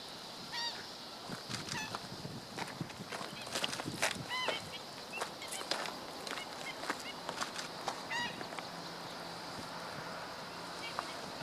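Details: Black-winged stilt filmed on 17 August 2013, giving repeated nasal, goose-like yelps at irregular intervals through the recording, with clicks and a constant background hiss.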